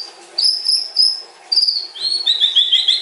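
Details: Caged stone-type white-rumped shama singing sustained high whistles, then a run of quick descending slurred notes repeated rapidly, clear and loud over a faint hum.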